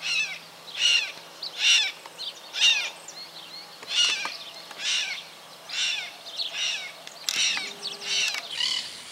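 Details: A southern crested caracara in Santa Fe, Argentina, 2019, gives harsh, hoarse, rasping notes, about one a second over nine seconds, with a faint low hum behind.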